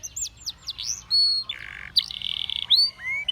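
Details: Canary singing to inspire companions, with quick whistled slurs, a held flat tone, a low buzzy roll and a bright sustained higher note, over faint background hum.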